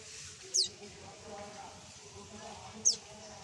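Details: A baby common tailorbird calling for its mother gives two thin, high, falling squeaks about two seconds apart, over a low murmur of voices and background hum.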